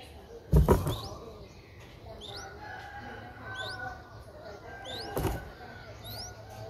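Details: Four-day-old Streak-eared Bulbul chick recorded 6 April 2023 at Ubon Ratchathani, Thailand, giving faint, sharp, rising squeaks in a steady series, interrupted by two loud handling bumps and a low rumbling background.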